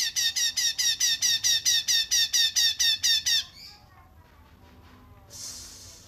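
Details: Cungkok rapat jeda song, a tutor recording for kept songbirds: a steady run of about fourteen harsh ringing notes, evenly spaced, stopping abruptly, followed by quiet and faint hiss.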